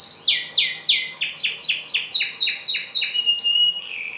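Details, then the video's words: Canary song used for training other canaries to sing; rapid high rolling trills of repeated down-slurred syllables, about four per second, changing phrase midway and ending on a short steady whistled note. "masteran burung kenari agar cepat gacor"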